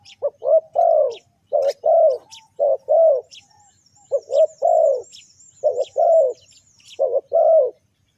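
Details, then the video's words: Lure calling of a spotted dove for trapping: repeated phrases of deep, rounded coos, a quick short note followed by a longer drawn one, about eight phrases, with faint high chirping in the background. "Chim cu gáy chiêu kích mồi tập bổi nhanh nổi hiệu quả"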